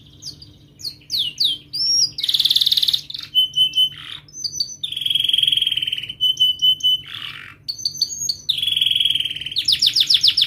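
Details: Canary song used as a tutor to teach young canaries and to restart birds that have stopped singing: sharp chirps and rolling trills, with bright rapid frequency sweeps, buzzy held notes and steady whistled tones alternating over a faint low hum.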